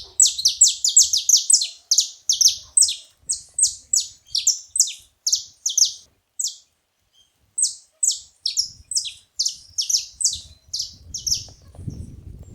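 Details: A flock of saffron finches noisily chirping together: rapid strings of high, falling notes, densely packed at first, then a short pause midway before the overlapping chirps resume, with faint low noise near the end.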